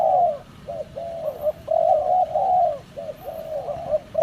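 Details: Spotted dove giving soft repeated coos: smooth, throaty notes with short breaks, some rising then falling, running continuously over a quiet noisy background.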